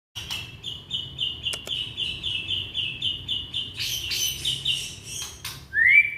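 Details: Young white-rumped shama from Indonesia, its song used as a lure to start non-singing shamas: a fast run of short, even notes repeated in a steady chain, then a denser burst of mixed notes and a final rising whistle.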